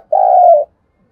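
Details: A single sustained, husky coo from a decoy spotted dove calling to draw and stir up wild doves. Steady pitch, nothing else heard.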